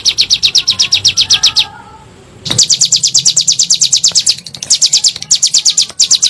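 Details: Bar-winged prinia 'nembak' call, a lure sound to stimulate pet birds into singing: dense series of bright, high chirps about four per second, split into several runs by short pauses.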